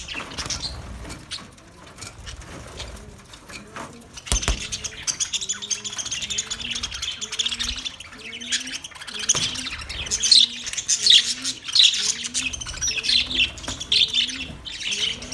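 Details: Budgies chirping on 9 March 2024, quiet at first, then lively overlapping high tweets and squeaky warbles, while a soft, low, repeated cooing note sounds in the background about once a second.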